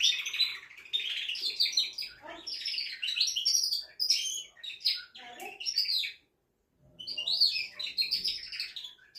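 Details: Caged male canary in full song meant to excite a female for breeding: bright chattering trills and twittering phrases, broken by a brief silence before another burst of rapid notes.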